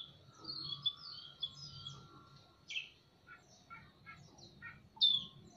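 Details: Male and female oriental magpie-robins in a semi-natural aviary calling back and forth: rich, varied whistled phrases, sweet slurred notes broken by sharp higher accents, one answering the other over a faint low hum. Oriental magpie-robin.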